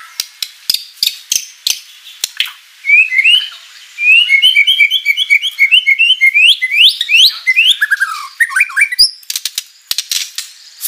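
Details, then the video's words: Energetic white-rumped shama song rich in learned phrases, played as a lure to make rival shamas answer: sharp clicks, then a long run of rapid whistled notes that rise and fall, ending in high chips. "MURAI BATU GACOR full isian materi mewah"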